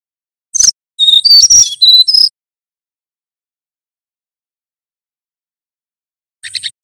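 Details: ['Male brown-chested jungle flycatcher from Banten singing in the whistling nyuling style, kept as a tutor song for other birds. A short buzzy note is followed by a quick run of high, clear whistles that rise and fall. A faint fragment follows after a long silence.']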